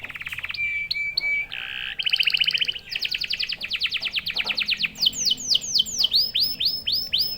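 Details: Canary song intended to excite other canaries into quick song, varied tours: short stuttering notes, a rasping buzzy phrase, rapid rolling trills, then arching, bell-like swooping whistles.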